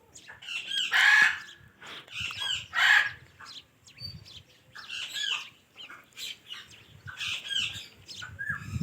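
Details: Talking ringneck parakeet producing loud, rough, voice-like bursts about every two seconds, separated by quieter chirps and clicks.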